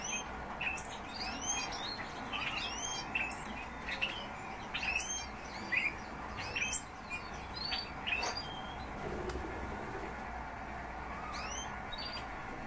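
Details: Flock of European bee-eaters calling with rolling trilled notes and rising chirps, overlapping from many birds, about once a second, over a low steady hum.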